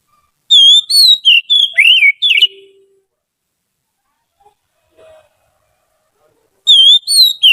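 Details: Trained Oriental magpie-robin used as a song tutor, singing a rapid series of clear whistled notes with quick downward slides. After a long quiet pause with faint background sounds, the whistled phrase starts again.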